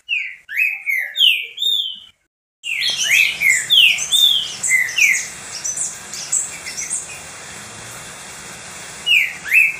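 Green-winged saltator singing loud, clear whistled phrases of slurred downward and upward notes, with a dense chorus of other high chirping birds behind.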